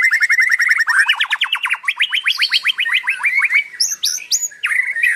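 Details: Murai, the white-rumped shama, singing continuously, gacor style: fast rattling series of short repeated notes, about three per second at first then quicker, rising into higher sweeping notes, ending with clear whistled slurs and bright high chips.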